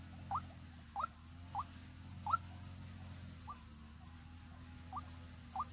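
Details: Vietnamese decoy white-breasted waterhen, Vĩnh Long: seven short rising notes spaced irregularly, roughly one every second, against a low steady hum.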